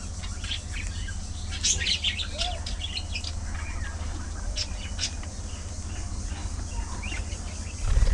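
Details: Social budgerigars in a colony, scattered chirps and short warbles with a sharp burst near one and a half seconds, a soft low whistle, and a thump at the end over steady hum.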